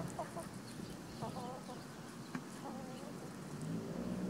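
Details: Spring free-range flock with a white rooster protecting his hens while they forage: soft, short harmonic clucks come in small bursts every second or so, with a low murmuring note near the end over steady background noise.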